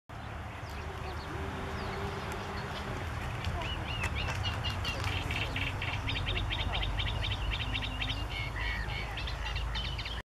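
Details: Bearded reedlings at Dziwnówek, Poland, on 16 June 2014 give quick, metallic ping notes in rapid bursts, several birds overlapping, over steady low wind rumble.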